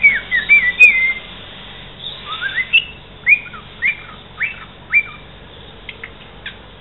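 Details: A pet cockatiel whistles a quick tune of clear rising and falling notes, about three per second, then trails into short chirps; it is said to sing parts of the Santos football anthem.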